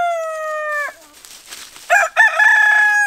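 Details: The tail of a rooster's sustained crow drops away into a soft murmur. Another crow then bursts out with stuttering opening notes followed by a steady tone.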